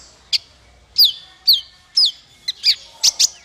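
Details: Tutor song for training small fighter birds: a series of high, downward-sweeping chirps about twice per second, ending in a pair of brighter, sharper notes.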